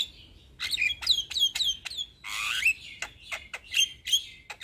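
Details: Young Javan myna singing as a tutor for other mynas: sharp squeaky notes that slide downward come in quick bursts, then a loud rasping screech, then more scattered squeaks and whistled chips.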